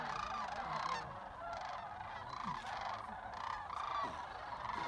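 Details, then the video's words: Sandhill cranes at Jasper-Pulaski give a continuous chorus of rolling, trumpeting calls from many birds at once, with overlapping bursts throughout. "Sandhill cranes"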